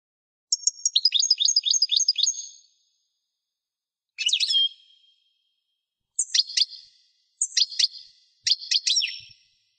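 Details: Pet European goldfinch singing a fast twittering trill, then giving short scattered bursts of bright twitters separated by silences of one to two seconds. Faint low thumps in places.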